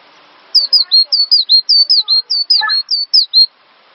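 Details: On this master recording for training songbirds, a cinereous tit delivers a continuous string of about a dozen bright, high whistled notes, each sliding down then holding, with a brief faint chatter midway.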